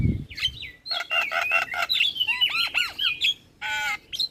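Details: Javan myna song played as a lure to make other starlings answer: loud buzzy rasping bursts, short squeaky chirps, a few curved whistled notes and a final harsh nasal buzz.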